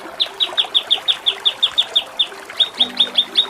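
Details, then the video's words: Kinoi 'ngepik' singing, a rough-filled masteran track for contest birds: steady, evenly spaced high chip notes, about five per second, continuing for several seconds over a faint low hum. "Masteran Mewah KINOI || Ngepik Kapas Tembak || Nembak Cililin"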